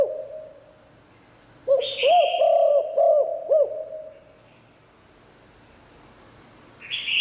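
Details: Liu tan song of a spotted dove, meant to bring wild doves in: a low hum, then a strong phrase of four or five looped coos with a harsh buzz overhead, fading into quiet.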